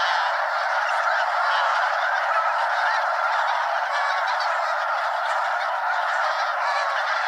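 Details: More than 200 Snow Geese flying around Limestone Bay, Wheeler National Wildlife Refuge, North Alabama: a thick, continuous honking chorus, many voices at once, loud and unvarying.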